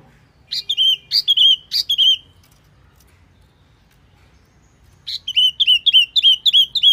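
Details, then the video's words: Wambi lure call: two bursts of sharp, high chirps, each a quick upward flick ending in a short downslurred note, repeated about twice a second, separated by a long silence. "Suara Pikat Burung Wambi Mini"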